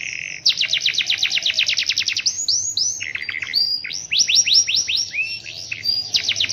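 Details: Kept canary singing actively in the rainy season, delivering a long roll: a fast run of steeply down-slurred notes, then varied buzzy and whistled phrases, and another rapid run of sweeping notes.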